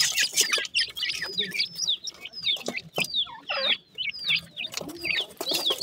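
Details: Black francolin chicks at morning feeding time, kept and reared: a busy series of thin, high, downslurred chirps and squeaky peeps repeated in quick succession, with soft clucking and handling noises beneath.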